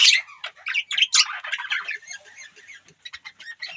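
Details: Budgies chattering in a fast, scratchy warble of short chirps and squawky notes, loudest at the start, then breaking into quieter clipped chirps toward the end.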